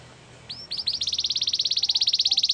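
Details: Canary training song: after a quiet start, a fast trill of short, high, bright notes begins, building into an even, rapid pulse that keeps repeating to the end.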